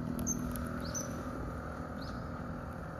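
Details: Common kingfisher by the Zenpukuji River in Tokyo, 26 November, filmed by smartphone with a telephoto lens: three brief, piercing rising whistles about a second apart, faint above a constant low roar.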